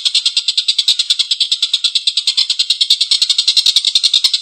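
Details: Harsh, drawn-out laughing chatter of a collared kingfisher: rough, noisy 'kek' pulses delivered in a fast, continuous run, some notes louder and more clipped than others.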